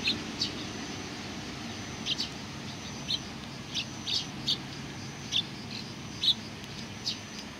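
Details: Somewhat distant Eurasian tree sparrows greeting someone on 27 July 2020 give quieter, evenly scattered high chirps about every half second to second, beneath a fairly strong low-frequency background noise.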